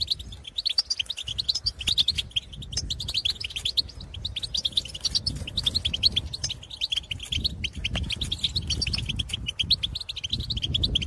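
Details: European goldfinches in open country calling to others of the same species: a steady, chattering twitter runs through the whole stretch, partly masked by a constant rustling, windy background noise.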